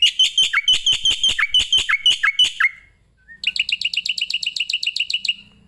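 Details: Starling song used as master audio for training other birds: a string of quick downslurred chirps, then after a short gap a fast even trill of repeated notes.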